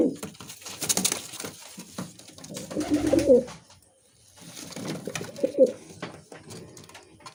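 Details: Musaldom pigeon indoors making two fairly quiet, low, burbling coo phrases about two and a half seconds apart. Scratchy clicks and rustling run through the clip.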